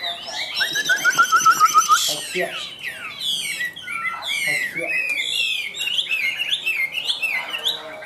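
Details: Caged Chinese hwamei delivering a quick series of repeated whistled notes, followed by a burst of varied downslurred whistles and a busy warbled medley of mixed phrases, with some background voices.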